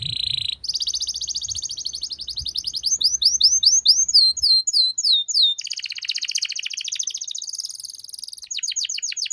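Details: Canary master song for training with full, rich phrasing: long continuous high trills, fast repeated sweeping notes that change pattern every few seconds, loud and unbroken throughout.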